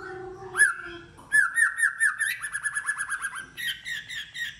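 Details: White-rumped shama in contest singing: a rapid run of evenly repeated upswept whistled notes, about ten in quick succession, preceded by a low warble and followed by a chattering phrase.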